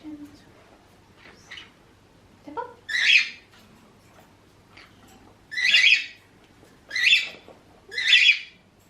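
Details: Pet green-cheeked conures squabbling, a territorial tussle that can turn to real aggression: short, harsh, noisy squawks in bursts about a second apart, with a few softer rising chirps between them in a quiet room.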